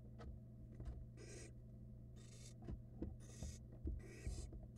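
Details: Two barn owl nestlings in a Florida nest box in 2022, eating rats side by side. Short breathy hissing rasps come about once a second, mixed with scraping and rubbing. A steady low electrical hum runs underneath.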